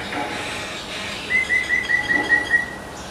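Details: Common mynas interacting with each other on a utility pole; a run of about eight short, evenly spaced whistled notes on one pitch, over a steady background hum.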